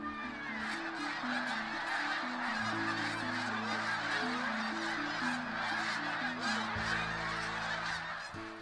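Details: Tens of thousands of migrating snow geese in late autumn at Point Au Roche, north end of Lake Champlain, New York, fill the air with a dense, continuous, near-deafening din of high yelping honks, with soft music underneath.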